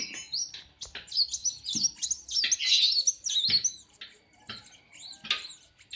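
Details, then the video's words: A kept sunbird (kolibri wulung) sings each morning beside its owner at a workshop; dense, fast, high-pitched twitters and squeaky slurred notes tumble out in quick succession. "KOLIBRI WULUNG NGOCEH PAGI PAGI DI BENGKEL"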